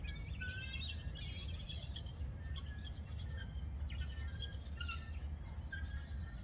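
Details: Guineafowl roosting in trees near a creek in Gqeberha (Port Elizabeth), South Africa, chattering back and forth through the night; many short, high chirping notes overlap continuously from several birds against a steady low rumble.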